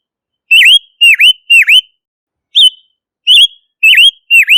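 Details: Silver-eared mesia, also called Ngũ sắc, a Southeast Asian bird, singing clear whistled notes that dip and rise, each about a quarter-second, given in loose series of three and four with short pauses; no background noise.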